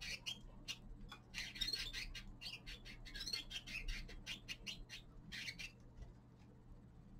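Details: Common linnet, a young male, in winter, giving a lively chattering song of quick high chirps and buzzy notes strung closely together, thinning out toward the end; faint low hum underneath.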